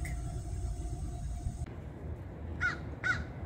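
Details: American crow giving two harsh, arched caws about half a second apart, after a stretch of low rumbling background noise and a steady hum.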